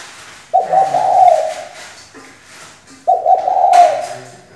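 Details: Female spotted dove acting as a decoy so males will start singing; two steady, low, vibrating coos roughly two and a half seconds apart over a light hiss, with a brief sharp click during the second.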